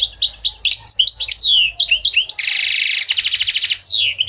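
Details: Goldfinch singing a rapid, varied twittering song of high bright notes and slurred whistles, then broken by longer harsh buzzy trills and a descending whistled slur, loud and close with no other sounds.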